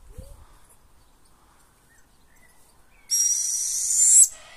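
Northern hawk-owl giving one harsh, hissing screech, high and rasping, lasting about a second after a quiet stretch with faint background murmur.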